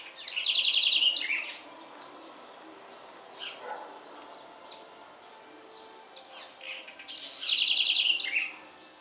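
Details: House wren in song in the Bahia Sertão, Brazil. Two fast, sparkling trills of closely repeated high notes, each about a second long and several seconds apart, with quieter chirps between them.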